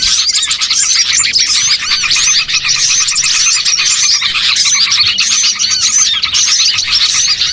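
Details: Many small birds calling together as a bird-catching lure; thin, high chirps and short trills pour out continuously and overlap into a steady twittering mass.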